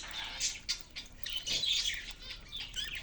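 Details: Budgerigars kept in a cage, chirping: a busy jumble of overlapping high warbles, squeaks and short chirps, with bursts of wing fluttering throughout.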